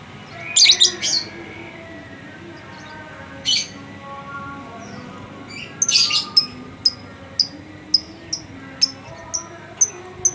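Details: Lovebird that won first place in a presidential cup contest, giving harsh broadband squawking bursts followed by a run of sharp, high chips spaced about half a second apart, over faint steady tonal hum in the background.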